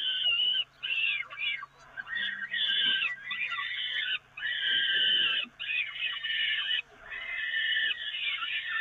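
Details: Peregrine falcons at the Evoluon nest being fed from the grating, 13 May 2018: long harsh rasping calls in bands, repeated with short breaks, loud and continuous, over faint low background noise.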